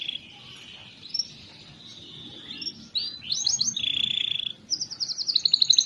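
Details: Canary song meant to prompt lazy canaries: quiet start with faint notes, then looping upward sweeps, a steady buzzy trill, and rapid high rolling pulses.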